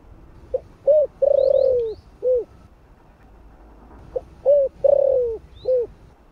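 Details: Spotted dove, 'thổ' voice, used as a lure for wild doves: two full phrases of a clipped lead note, a short coo, a long grainy descending coo and an end coo. Faint high chirps of another bird appear above.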